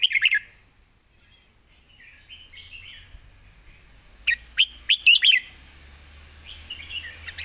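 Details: Fast 'zone' style song from a red-whiskered bulbul: an opening burst of sharp notes, a soft rising warble, then a rapid cluster of four or five crisp chirps and a quiet trailing phrase.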